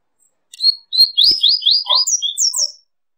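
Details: Double-collared seedeater phrase of clear falling whistles repeated about four per second, followed by higher swept notes and soft low chatter, lasting roughly two seconds; a faint knock sounds near the start.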